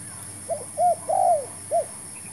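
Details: Spotted dove calling as a new decoy bird and a new trap are tried for catching doves; a soft short note and a brief coo, then a long slurred falling croo and one last short coo.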